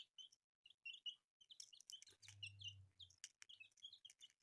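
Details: Newly born colourful chicks give sharp high peeps in short clusters, briefly pausing early on; a low droning hum runs under the calls for about a second in the middle.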